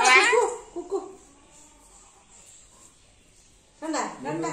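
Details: Pet black-capped lory (Lorius lory) talking in a high, sweet, speech-like voice, apparently talking like this for the first time; two short bursts of mimicked words separated by a few seconds of quiet.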